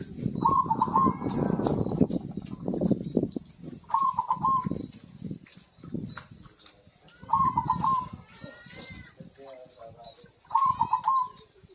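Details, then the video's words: Zebra dove, played to coax quiet birds into song: four short, quick trilled coo bursts spaced about three seconds apart, with faint higher chirps and low background noise between them. "PERKUTUT GACOR"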